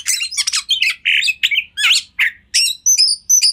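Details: Oriental magpie-robin (kacer) song used as a master recording for training other kacer: a rapid run of loud, varied high notes, with sharp chips, buzzy slurs and short whistled phrases packed tightly together.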